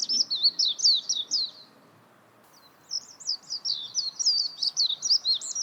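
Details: Warbling white-eye singing quick, thin, high-pitched twittering phrases with rapid up-and-down slurred notes. About two seconds of song, then a brief quiet gap, then a longer, denser warbling stretch.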